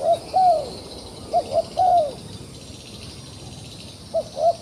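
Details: Trapped wild pigeon that keeps fighting, cooing in short clusters of arched, hollow notes, a drawn-out coo near two seconds, then a pair near the end, with constant high insect drone behind.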